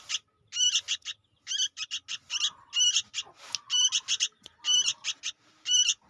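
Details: Insistent young sooty-headed bulbul, played as a trapping lure, utters rasping clustered notes about once a second, each burst choppy and buzzy, with soft lower whines between groups.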